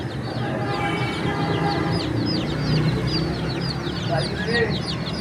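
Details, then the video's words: Chicks in a bird market in Pakistan, many cheeping at once in a constant chorus of short, high, downward-curving peeps, over loud crowd murmur and market noise. "Beautiful Chirping Sounds of Cute and Funny Chicks"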